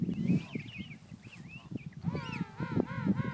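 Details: King penguin parents caring for their chick: thin wavering high whistles at first, then from midway a rich harmonic call in short rising-and-falling bursts, over steady low rumbling noise.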